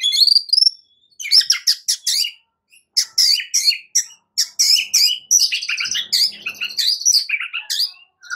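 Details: White-rumped shama singing a morning lure song in fighting style: bursts of sharp, high chirps and whistled notes in rapid choppy phrases, separated by short pauses.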